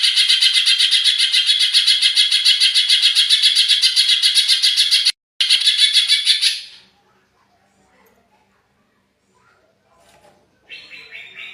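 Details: Greater green leafbird singing in an agitated state, used as a lure: a loud, buzzy, rapidly pulsing trill of high notes held for about six seconds, briefly cut, then fading into near silence before a fainter trill resumes.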